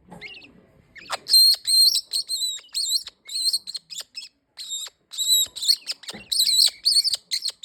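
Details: Green-winged king parrot calling: after a soft rustling start, rapid bursts of high, sharp chirping notes with bright overtones, two to three per second, separated by brief pauses.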